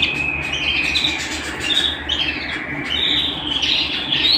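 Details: Canary singing at home, a continuous run of bright high warbles and sustained trilled notes with quick rising and falling chirps, over a steady low hum.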